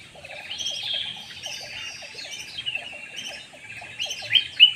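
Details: Black-naped oriole lure call: a steady stream of rapid, high twittering notes that rises to sharper squeaks at the end.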